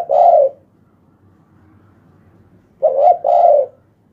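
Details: Spotted dove at night, with a big voice: deep, mellow coos, one drawn-out note, a pause of about two seconds, then a quick double coo, with a faint low hum behind.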